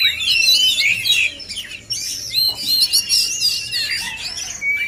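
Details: Male oriental magpie-robins (kacer) sing against each other in sweet, wavering whistles and tumbling slurs, about three notes a second, with a brief dip before the song resumes.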